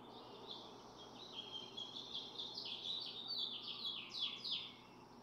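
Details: Barn swallow (Hirundo rustica) at a nest holding four eggs being incubated by both parents in June, giving a quick run of high, chattering twitters and squeaky notes, fairly steady and bright, over a faint background hiss.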